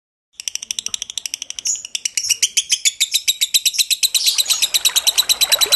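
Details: Lovebird training recording at slow tempo, paired with trickling water and meant for birds that have stopped singing: a fast, steady run of sharp, high chirps, about six per second, with splashing water growing louder toward the end.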